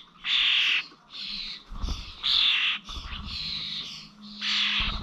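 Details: Starlings recorded 21 November at village bird feeders in Corby: rasping, grating squawks about half a second long, four or five bursts, with low knocks between.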